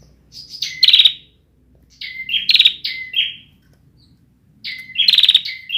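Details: Young Bar-winged prinia with an undeveloped song, heard as three bursts of high sharp chirps, each ending in a dry buzzing trill, with short silences between them.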